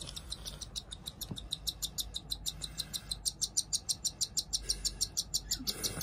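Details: Hand-fed cockatiel chicks, two pet siblings hatched the same day, give fast repeated high 'pi-pi-pi' begging notes at a brisk even pace while grabbing at food, with a soft low bump partway.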